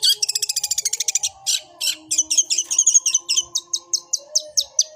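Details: Long-tailed shrike singing a fighting song in 'suara gereja' style: a rapid buzzy trill, then scratchy notes, then a run of clipped high whistles repeated about four times a second, over faint steady tones.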